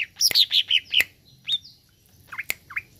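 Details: Greater green leafbird song meant to provoke a kept leafbird: a brief burst of bright, slurred whistled notes sliding downward, a lone sliding whistle, then two low-to-high upswept chirps.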